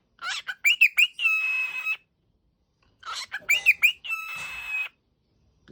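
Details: Indoor pet cockatiel waking up, repeating the same phrase twice: harsh chatter, three fast rising chirps, then a drawn-out buzzy note, about three seconds apart.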